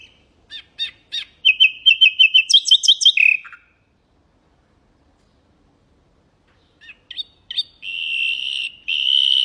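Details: Common nightingale singing for the training of caged goldfinches and canaries: scattered clicks build into a fast rattle and a high trill, then after silence come sustained buzzy whistles.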